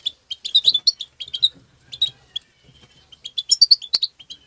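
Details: Tabtaba calling by a European goldfinch, played to stimulate other goldfinches. Bright, high chips and twitters come in quick groups, with a thinner stretch midway and then a lively cluster of sharp, ringing notes.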